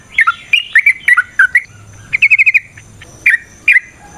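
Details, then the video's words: Yellow-vented bulbul in brief provoking fighting song: a few abrupt chirps, a fast five-note rattle, then two separate sharp notes. "Suara Burung TRUCUKAN gacor TARUNG ROPEL PANJANG pancingan trucukan agar JADI trucuk gacor EMOSI"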